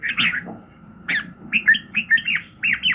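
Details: Red-whiskered bulbul singing in the morning, a burst of warbled notes followed by a quick series of clear, downward-slurred whistles about three per second, over a faint hum.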